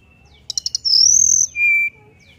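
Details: Sunda forktail singing in a flute-like style with beak open to prompt another bird to join in: four quick high chips, then a long high whistle rising slightly, then a lower steady whistle.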